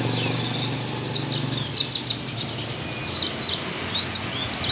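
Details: Dakun-type Oriental white-eye singing its 'tembakan kenari' song, which imitates a canary: very high, rapid twittering bursts of short slurred notes, starting softly and growing into dense, bright runs, with faint low background rumble.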